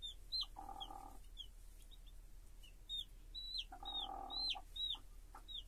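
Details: Chicks peep with their mother hen: thin, high peeps that bend downward come in quick bursts. Twice the hen gives a low, throaty cluck lasting about half a second. The ground sounds carry quietly underneath.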